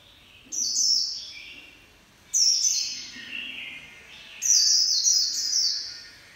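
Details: White-eye giving líu pha chòe style song: three high, thin, rapid warbling phrases about two seconds apart, each starting loud and sharp then trailing into lower chattering notes; little else audible.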